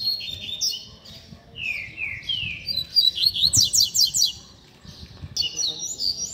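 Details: Double-collared seedeater tutor song for training young birds and heating up their spirit: varied phrases of falling slurred whistles, buzzy trills and fast repeated downstrokes, separated by brief pauses, over low background rumble.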